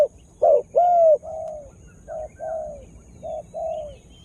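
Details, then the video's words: Spotted dove kept as a decoy to attract wild birds, giving soft coos in pairs: a short note followed by a longer, slightly falling hoot, three pairs in quick succession. "Tekukur Dengan Daya Panggil Yg Unik Bikin Burung Liar jadi Emosi"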